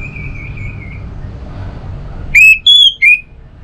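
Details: North Bali orange-headed thrush song played to coax a home bird into singing: a faint thin whistle, a pause, then three loud, pure whistled notes, the middle one higher.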